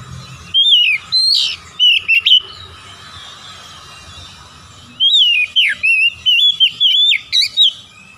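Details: Oriental magpie-robin in lovely song, two bursts of varied whistled phrases separated by a quiet pause of about two and a half seconds, notes swooping, trilling and rising, with a faint low hum throughout.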